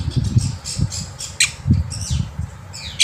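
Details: Black-winged myna singing in the morning, used as a tutor for young birds: harsh squawky notes with slurred downward whistles, low rumbling background noise throughout.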